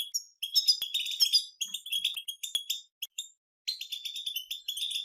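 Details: European goldfinches in a group chorus of batbata chattering song from nature, used to prompt silent goldfinches to sing: dense high twittering with buzzy notes in rapid bursts, and a short pause near three seconds before the chatter resumes.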